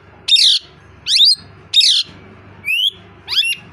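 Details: A male plum-headed parakeet, rescued after landing on a roof with an injured foot, whistles five high, sharp squawks roughly every 0.7 seconds, some rising, others with quick repeated notes, over a low hum.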